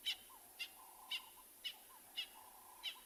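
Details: On a quiet morning safari in a South African private game reserve on 25 July 2020, with lions nearby, a francolin gives six sharp, raspy notes about one every half second, with soft lower whistled tones between them.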